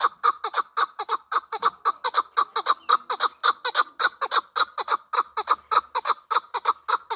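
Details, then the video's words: Fighting-type hybrid partridge, a young bird from last year's hatch, gives a long, even series of loud rhythmic chuck notes, roughly two per second, each with bright ringing overtones and no other sounds. "Кабки Гибрид"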